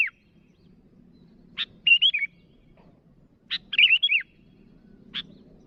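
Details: Rival-directed calling by a sooty-headed bulbul, with harsh chips and two bubbly whistled phrases of wavering notes about two seconds apart, and a faint murmur beneath.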